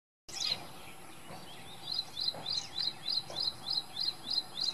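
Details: Ashy prinia singing, recorded April 3, 2022 with a Panasonic FZ-70 camera: a fast run of short, bright, high chirped notes repeated about three times a second, steady and even, over faint background hiss.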